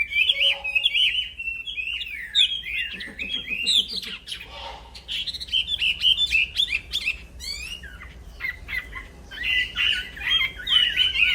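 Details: Black-throated laughingthrush delivering unbroken tutor song for training other songbirds: continuous chattering whistles with quick up-and-down inflections, a brief lower rattling patch midway, then dense high warbling to the close.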